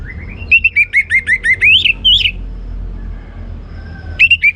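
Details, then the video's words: Ngeplong-style song of a caged orange-headed thrush: a quick series of about a dozen clear, high, wavering whistled notes climbing slightly in pitch, then a short pause and a new phrase starting, with low hum beneath. "Anis Merah Ngeplong Gacor"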